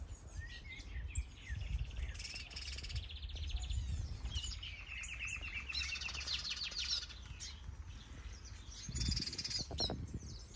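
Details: Busy twittering from many species in a large green aviary in Denmark, among them finches, canaries, gouldian finches and turacos, several with chicks. Sustained chattering and repeated short high notes continue throughout, with low rustling beneath.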